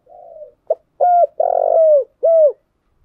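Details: Spotted dove used as a calling lure for decoy training, giving a soft wavering coo, then a brief pip, a clear coo, a long rough coo ending in a downward slide, and a last clean falling coo.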